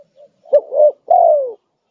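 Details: Spotted dove used as a lure sound to draw wild doves, one low cooing phrase: two short soft notes, then a long, loud coo that slides downward.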